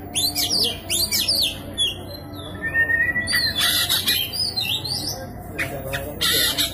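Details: Oriental magpie-robin singing persistently, used to provoke a silent magpie-robin into song. Loud sweeping whistles and harsh squawky bursts over steady background hum and noise.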